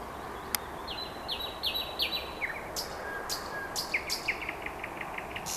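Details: Common nightingale singing on a late-May evening in Vyazniki, with series of repeated whistled notes, high descending slurs and a run of quick rising chips, over a steady hum of background noise.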